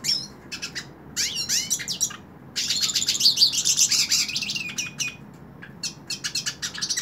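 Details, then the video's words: In-hand song of a hooded siskin: clipped chirps at first, then a sustained buzzy, twittering run of high notes, ending in scattered sharp chips. "Cabecita Negra Canta En La Mano / Pintassilgo Cante Na Mão"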